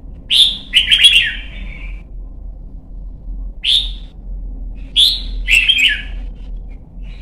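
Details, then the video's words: Red-whiskered bulbul, song for training young birds and competition singing: bright whistled phrases in short bursts, some with rapid clicking notes and descending slurs, repeated several times with pauses; constant low hum in background. "CHÀO MÀO | Luyện giọng má trắng chim non - Thúc chim hót hay hót đấu"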